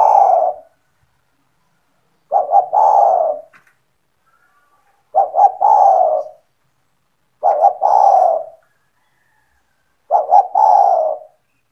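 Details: A 'gacor' spotted dove belonging to the recordist, calling to attract other doves: five repeated low phrases, a short double hoot running into a longer hoarse coo, roughly every two and a half seconds, nothing else audible.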